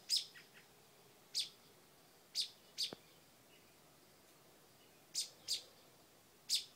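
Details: Nesting mother bird on a porch scolding a dog near her babies: short high chip notes at irregular intervals, a pair close together, with gaps of quiet between and one faint click.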